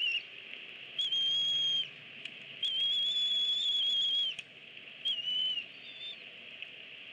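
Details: At an eagle nest on 24 April 2017, parents feed their two eaglets, 25 and 26 days old. Three high, thin, flat whistles, the middle one held nearly two seconds, each separated by short pauses, over a constant hiss.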